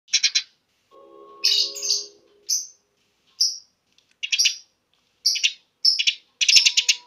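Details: Eurasian tree sparrow chirping rapidly and energetically, used as a lure and tutor filler for songbirds kept at home; short bursts of high, dry chirps in quick runs separated by brief pauses, with a faint steady hum underneath.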